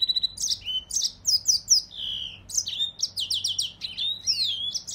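A Mozambique serin sings a fast, continuous jumble of high, sweet twittering notes, with buzzy trills and quick slurred phrases.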